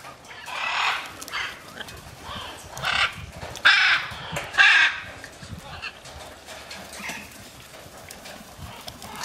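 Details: Free-flying macaws in flight give harsh, raspy squawks about once a second, with the two loudest, grating calls near the middle of the stretch.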